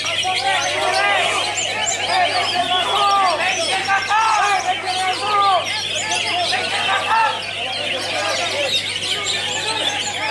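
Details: A greater green leafbird, a champion songbird-contest performer, pours out an unbroken torrent of quick whistles, chirps and warbles without pause, over a steady low hum and faint background chatter.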